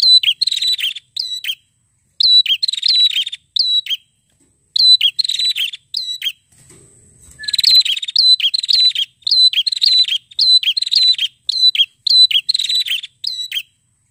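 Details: Insistent fighter-style singing from a red-headed prinia: high, buzzy chattering phrases with ringing whistled accents in rapid groups, a short lull with a faint low noise midway, then renewed bursts.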